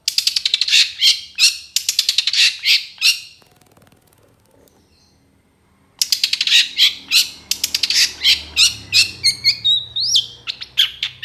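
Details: Long-tailed shrike song used as a master recording for training other birds, with mimicked notes: rapid bursts of harsh chattering and squeaky notes, a pause of about three seconds, then more fast scratchy phrases ending in a rising whistle.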